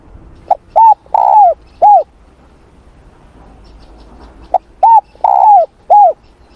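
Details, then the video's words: Two complete cooing phrases from a spotted dove during morning voice training, each a short note then hollow arched coos with a longer sagging middle coo, separated by a couple of seconds of quiet. "Tiếng Chim Cu Gáy// luyện giọng cu gáy buổi sáng"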